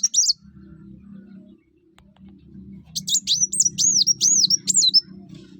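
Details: Sunbird (kuwul, kolibri wulung or mucang) singing, its song used to lure other birds into singing: a brief high note, then a rapid run of high, sharp, looping whistled notes over a steady low hum.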